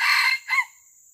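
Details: Wild junglefowl being lured for live capture by a traditional trapping method: the rasping end of a crow with a strong burst, then a shorter second note fading into a steady high insect drone.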